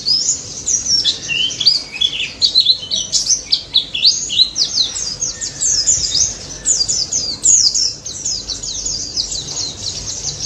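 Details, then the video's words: Energetic white-eye song, a dense stream of fast high chirps and slurred up-and-down whistles running without pause through the whole stretch. "BURUNG PLECI DAPUT GACOR NGALAS NEMBAK"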